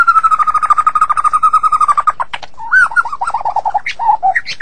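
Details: White-rumped shama singing in the morning: a long rapid series of even mid-pitched notes, then a break and a looser run of varied warbled and rising whistled phrases.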